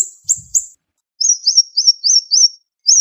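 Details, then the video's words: Siri-siri bird in a sharp, fast tutor song: two high chirps, then a series of thin, looping whistled notes that rise and fall, each about a quarter second long. "Masteran Burung Siri Siri Tembakan Tajam Speed Rapat"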